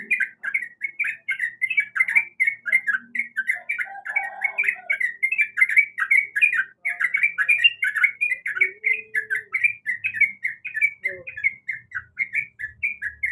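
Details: Female yellow-vented bulbul calling to the male, used to provoke a reply: a long, unbroken torrent of quick, chattering, liquid notes, with a few faint lower sounds in the background.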